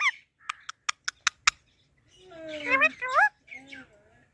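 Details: Parrot talking: six evenly spaced sharp clicks, then a voice-like drawn-out phrase with rising and falling tones and a shorter fading syllable after it.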